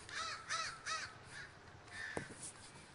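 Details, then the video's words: Crows gathering in a flock at Davis, California: three loud, harsh, evenly spaced caws about half a second apart, then fainter calls from other birds and a single sharp click. "The Great Gathering of Crows III"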